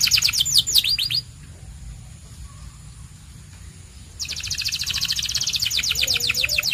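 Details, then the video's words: Canary, a white bird, gives a quick burst of sweeping notes, falls quiet for about three seconds, then resumes with a long, dense rattling trill. "The Best White Canary's Singing"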